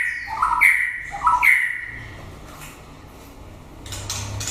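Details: White-rumped shama late in the breeding season giving two loud, rich whistled phrases in quick succession, then quiet with faint clicks.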